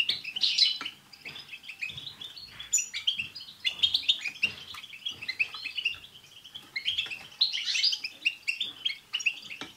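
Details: Many European goldfinches twitter together in a lively chorus meant to get a pet goldfinch singing, 'tsts' notes included. The chirps are rapid and overlapping, rising into louder bursts around the first and ninth seconds.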